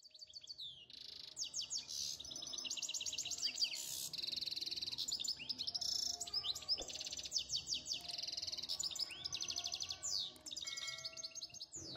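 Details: Male European goldfinch in mating condition, excited and singing: long, dense passages of rapid tinkling trills and buzzy twitters, broken by short gaps, with a few sharp call notes near the end.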